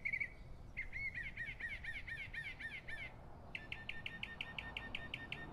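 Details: Predawn mockingbird song: a long string of fast repeated chirps, then a switch to a second series of crisp, evenly spaced clipped notes, steady and insistent.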